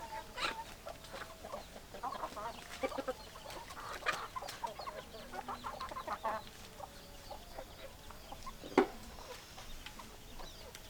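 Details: Chickens clucking in a loose, busy chorus of quiet, short clucks, with one sharper note near the end and a constant low hiss behind.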